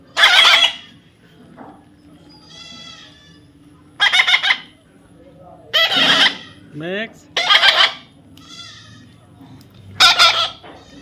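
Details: Baby parrot being tamed, repeatedly uttering harsh, raspy squawks about every two seconds, with softer chattering notes and a brief rising squeak between them.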